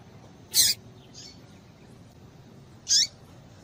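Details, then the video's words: Calls of a female double-collared seedeater, said to get males excited and singing: a strong, noisy high chirp, a faint note, then a thinner chirp with a falling end about two and a half seconds later. "Piado de Fêmea de Papa capim Para Esquentar Papa capim"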